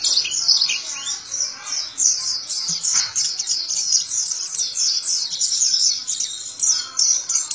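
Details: Zosterops white-eye singing ngalas ngeroll, a long run of rapid, high-pitched chirps and slurred whistles that flow together without pause, one soft low thump near the middle.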